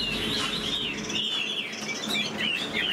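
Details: Chinese hwamei in a cage, fanning its tail and playing its wings while singing; fluid whistled notes weave up and down over a broad, steady background noise that partly blurs them.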